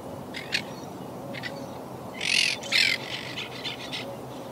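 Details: Wild Quaker parakeet colony living high in trees, hit by hurricane Irma in 2017; a few brief squawks, then two loud, drawn-out harsh screeches in the middle, followed by softer chatter, with steady low background noise.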